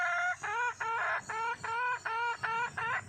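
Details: Wild red junglefowl hen calling for a mate, giving loud nasal harmonic calls in a fast regular series, each note bending slightly upward, roughly three per second, with a steady high hum behind.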